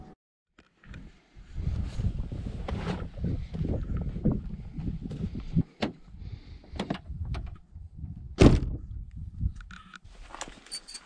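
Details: Low rumbling handling noise with a few sharp knocks and clicks, like a door or gear moving, and no animal calls.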